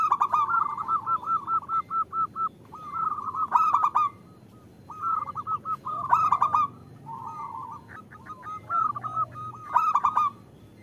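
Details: Female zebra dove calling the male, used to lure local males into singing: rapid runs of soft, even cooing notes in bursts, broken by louder rough stuttering notes, with short quiet gaps between phrases.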